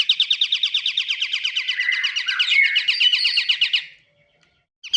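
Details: Pied triller song used as a lure to attract birds: a long, fast trill of repeated high notes lasting about four seconds, then silence, then a new phrase starting.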